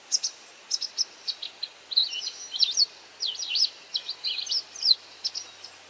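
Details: White wagtail giving calls while feeding on insects: quick series of short, high chirps and twittering notes, some sharply rising or falling, spaced irregularly with brief pauses, over a faint steady background hiss.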